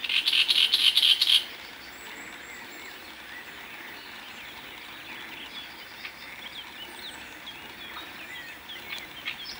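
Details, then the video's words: Great reed warbler song from Moselle, France: one short phrase of fast, rasping, repeated notes lasting about a second and a half, then a calm stretch with faint other birds calling far off. "Rousserolle turdoïde chant"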